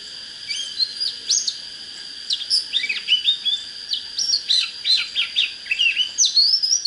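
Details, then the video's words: Oriental magpie-robin song meant to fire up birds for fighting: bright whistled notes, then a lively run of short rising and falling chirps repeated about twice a second, over a constant high whine. "Chích chòe than HÓT HAY"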